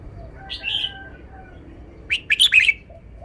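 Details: Red-whiskered bulbul showing its song phrasing: a short warbled note, a pause, then a rapid cheerful run of four bright whistled notes, over quiet background murmur.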